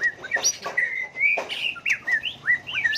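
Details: White-rumped shama with a rich, many-voiced song that switches tone continuously to spur rival birds into singing contests; loud clear whistles rise and fall in quick, varied phrases, broken by short sharp clicks.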